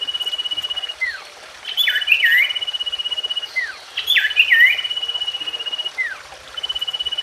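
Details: Common iora song, offered as a way to get a silent or newly caught bird singing again. Long, even, rapidly pulsed high trills alternate with quick downslurred whistles and twisting chirpy phrases, in a cycle of roughly two and a half seconds over faint background hiss.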